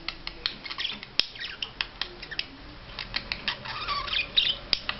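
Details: A budgerigar's courtship display: close, indoor, quick scratchy clicks and squawks with short warbled phrases, several notes a second.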